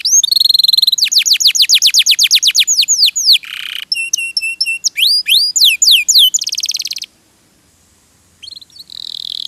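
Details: Canary (kenari) used as a song tutor: buzzy trills and long runs of descending notes, clipped chirps and rising slurs, a short silence, then a soft high trill resuming.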